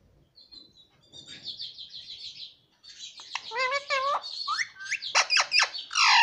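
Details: Talking pet rose-ringed parakeet that says "mummy papa": soft chirps first, then a run of wavering harmonic syllables and sharp squeaky notes that grow louder toward the end.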